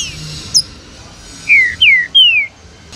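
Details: Green-winged saltator song from a recording meant to warm up captive birds and make them active: three loud, clear whistled notes, each slurring downward, given in quick succession after a brief faint high chirp.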